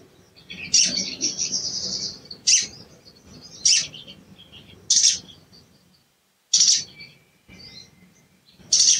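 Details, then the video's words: Sooty-headed bulbul calling 'cuit cuit' to stir a silent bird into singing. Seven sharp high notes come at roughly one-second intervals. The early ones run into a longer buzzy, chattering phrase, and one brief silent gap falls midway. "CUIT CUIT PANCINGAN EMOSI SOGON MACET BUNYI DAN KURANG GACOR"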